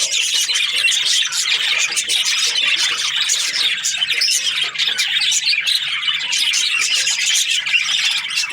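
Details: Budgerigar in a happy mood, keeping up a dense, chattering warble of clicks, squeaks and rasping notes, with scarcely a gap.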